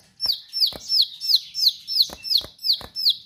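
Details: Bar-winged prinia in lively, sharp-voiced song, delivering evenly spaced high downslurred notes, about three each second, with dry clicks between several of them.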